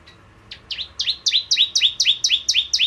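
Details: Bar-winged prinia singing as a lure for ciblek kristal: a quickening run of clear, downslurred high chips, about ten notes in under three seconds, in a quiet setting.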